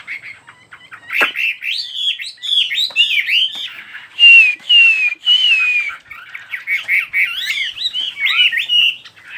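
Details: Varied bird song mixing quick chirps and clicks with warbled phrases, then three drawn-out descending whistles in the middle, followed by tumbling twittery notes; a sharp click near the start.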